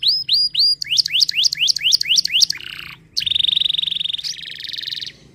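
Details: Canary song made of distinct phrases: three down-slurred whistles, then a fast series of rising-falling notes, a brief gap, and a long buzzy trill that turns into a higher rattling roll.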